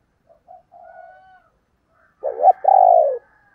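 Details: Female spotted dove in 'thổ đồng' voice, played to lure wild males: quiet soft preliminary notes, a pause, then a clipped note and a long, full, gently falling coo.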